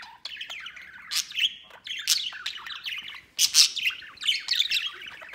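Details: White male budgerigar kept as a pet, out of its cage playing and flying around it; continuous budgie warbling of buzzy, twittering phrases with sharp high chirps breaking in.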